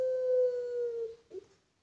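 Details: Puter pelung Barbary dove, a farm-bred bird, giving one long, level, drawn-out coo held for over a second at an even pitch, then a short low note after a brief break; the background is otherwise quiet.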